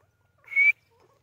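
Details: White francolin (teetar) uttering a single loud, harsh, strained note lasting about a quarter second, followed by faint soft chirps in a quiet setting.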